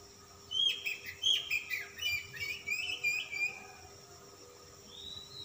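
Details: Oriental magpie-robin puffing up and singing rich varied song: a string of loud chattering and whistled phrases roughly every half second, ending with a soft rising whistle; low constant hum.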